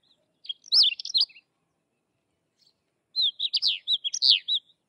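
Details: Two lively phrases of Sykes's lark song, each a jumble of high, sliding whistles and twittering notes. A silent gap of nearly two seconds separates them. No other sounds.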